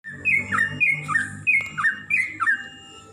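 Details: Greater green leafbird song used as training material to spur birds into fighting: bright, clear whistled phrases that slide down and then up, repeated roughly every half second over a soft low background hum.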